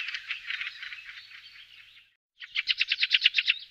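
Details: Fieldfare alarm calls: a long dry rattling chatter fading over two seconds, then after a brief pause a fast, loud series of harsh repeated notes.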